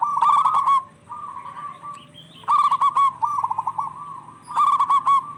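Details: Local zebra doves singing in turn, a lure to make stressed doves call: three loud bursts of rippling coos, with softer trilled phrases between them.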